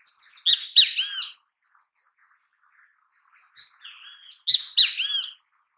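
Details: Great kiskadee in natural habitat calling twice: a loud, harsh cluster of ringing notes, a quiet gap with soft whistles, then another strident burst of raspy notes.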